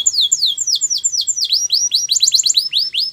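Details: Russian canary in flute-style song, a steady run of sweeping downward whistled notes, quickening toward the end into close-set slurred syllables.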